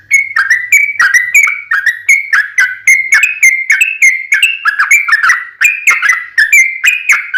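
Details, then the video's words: Lure recording of a sooty-headed bulbul, played to make other birds reply at once: continuous fast chattering phrases of bubbly whistles, each note dropping slightly, with crisp high ticks over them throughout. "SUARA trucukan gacor RAJA PIKAT tarung ropel panjang MENJADIKAN burung trucuk gacor NYAUT SEKETIKA"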